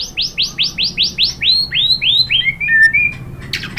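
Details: White-rumped shama song: a run of about fifteen clear whistled notes, each sliding downward. The notes start high and rapid, then drop in pitch and slow toward the end, finishing with a short buzzy burst.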